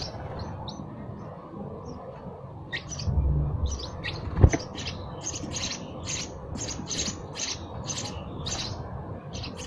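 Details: Sparrow chirping: a few sparse chirps at first, then a quickening series of sharp high chirps roughly every half second, with a brief knock midway and low background noise.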